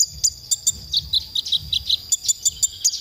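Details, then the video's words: Konin singing on a masteran training recording for songbirds, giving a series of short, piercing high chirps and quick paired notes at a brisk pace, with a faint steady high whine behind. "masteran konin untuk bongkar emosi"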